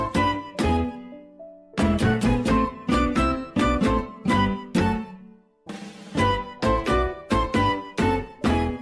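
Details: Plucked guitar-like instrumental music with repeated strummed chords and a short pause midway; no animal sound is heard.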